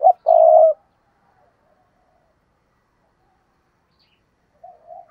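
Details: Decoy spotted dove on a tree giving a calling coo to lure other doves; a clipped short note and a long mellow coo open, then a long pause and soft low notes near the end.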